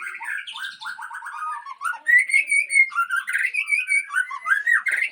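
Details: Super-fighter shama from Aceh sings stuttering low whistled notes, then a clear rising slur and a lively series of repeated rich whistles with high accents.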